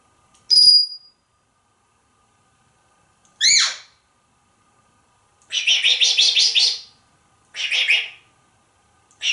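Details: Captive, talkative African Grey Parrot making a high chirp, a quick upward whistle, then repeated harsh, grating squawks in bursts of about one second, with a low hum throughout.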